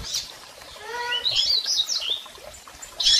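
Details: Double-collared seedeater calls from females and males, played to stimulate a male: high thin chips near the start and end, with a low stacked tone in the middle, against a quiet hiss.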